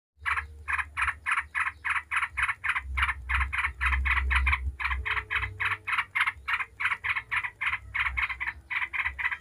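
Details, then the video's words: Yellow-vented bulbul singing in the rapid 'ngebren' style, used as a lure to set other bulbuls singing: a long run of quick, buzzy chattering notes, about three or four a second, with brief breaks, over a low steady hum. "Trucuk ngebren bikin ribut trucuk manapun dijamin langsung nyaut ribut"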